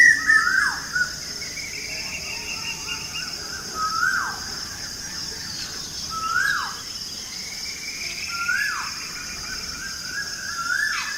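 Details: Birds chirping in the morning around a village: a short, sharply descending slurred call repeats about every two and a half seconds, over a steady high-pitched hum that runs throughout.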